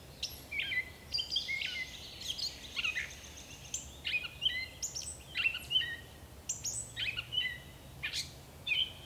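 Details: Varied phrasing from a gray catbird singing in bush: scratchy chatters, thin high squeaks and short whistled slurs strung together with uneven pauses, some phrases harsh and some clear, over low ambient hum.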